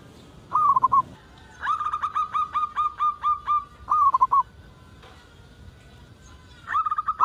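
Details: Zebra dove of a local type, its call meant to lure others into calling: a short burst of quick coos, then a steady run of about eight clipped notes, another brief burst, and a final fragment.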